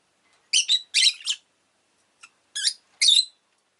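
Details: Pet Rosy-faced lovebird chirping: shrill, buzzy high chirps in two quick doublets, a brief pause with one faint note, then two more sharp bursts.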